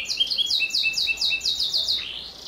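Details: Brief burst from a canary singing with a sharp voice: a quick run of high, clipped notes repeated about five times a second, sliding down into a softer fading note.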